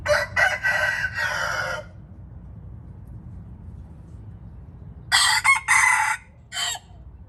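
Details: White-eared red junglefowl crowing twice: a loud, harsh, broken crow of several bursts lasting nearly two seconds, a quiet pause with low background rumble, then a second shorter crow ending in a clipped final note.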